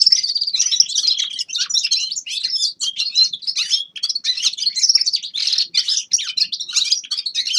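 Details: Grey-crowned goldfinch pouring out a loud, rambling twittering song of rapid high notes, buzzy chirps and trills throughout, with nothing else heard.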